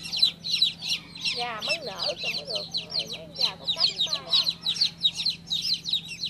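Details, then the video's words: Chirps of a newly hatched chick, high sharp peeps repeated quickly throughout, with a lower wavering warbled call from another chick in the middle of the recording and a soft steady hum in the background. "Cutest baby chick chirping sound"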